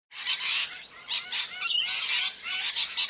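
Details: Indian parrots calling in a noisy bunch: harsh, buzzy squawks in quick overlapping bursts, high-pitched and raspy, with no other clear sounds.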